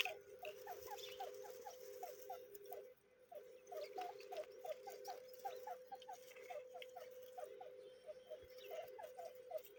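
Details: Grey francolin chicks giving rapid, repeated short upslurred peeps, several per second, over a steady low hum.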